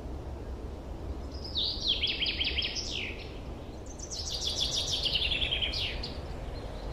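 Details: Spring song of forest birds, recorded 2023, with two long rapid trills of high repeated notes, each sliding gradually downward, separated by a short gap, steady low noise underneath.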